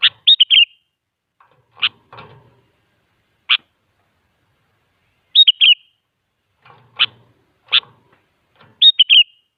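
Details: Sooty-headed bulbul in full song, played as a lure to draw replies from other bulbuls: short bubbly whistled phrases and single sharp notes at irregular intervals, with faint low clicks and rustling between them.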